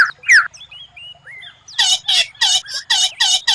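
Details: Murai batu (white-rumped shama) training song: slurred whistles, then harsh buzzy bursts repeated roughly every half second.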